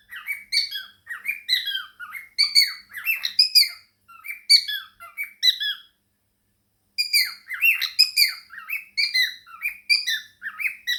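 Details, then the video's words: Pet male cockatiel singing and chattering indoors among budgies; busy squeaky warbling of downslurred notes, broken by a full second of silence midway, then a dense burst again. "Koko the cockatiel and fam: Chattering, singing and dancing"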